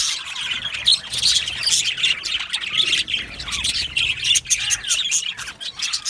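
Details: Happy budgerigars in a colony aviary squawk and chirp over each other, with pulsing bursts of bright warbling and scattered sharper calls.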